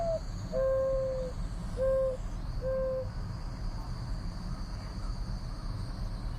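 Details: Mourning Dove, a common bird of the southern and eastern US, giving its low, mournful summer song, often mistaken for an owl: a sliding opening coo, then three steady hollow notes about a second apart, over a constant low hum.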